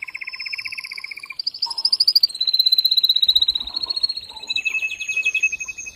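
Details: Forceful male canary song used to stimulate pairing, moving through a buzzy low roll, a high sweeping trill and quick repeated notes that slide gradually higher.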